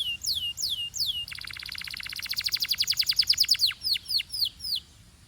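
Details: Belgian canary singing: a few slurred descending whistles, then a rapid accelerating trill of sweeping notes growing louder, finishing with separate dropping whistles.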